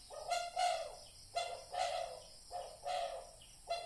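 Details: Lure recording of a spotted dove: soft, mellow two-part coos repeated roughly once a second, each note starting with a short rasp and sliding into a low hum.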